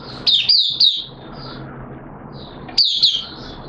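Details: Oriental white-eye kept in a cage, recorded 13 September 2022 during deworming treatment, gives two short bursts of high, sweet twittering notes separated by about two seconds of quiet over a soft low room hum.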